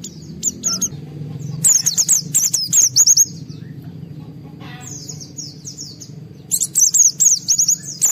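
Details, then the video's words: Excited white-eye singing in the gacor 'ngalas' style with fill, used to provoke other white-eyes into song; rapid, high, tumbling twitters in three bursts separated by softer chatter. "Pleci Mental baja EMOSI Tinggi ampuh mancing semua pleci segera gacor buka paruh"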